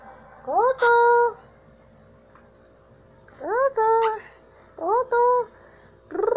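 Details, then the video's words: Amazon parrot talking: rising harmonic syllables in pairs, spaced by silent gaps of one to two seconds, indoors. "amazon parrot talking"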